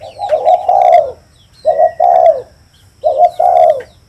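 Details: Three clear coo phrases from a spotted dove, each a brief stutter into a long, slightly descending hoot, separated by short pauses, with faint chirps from other birds.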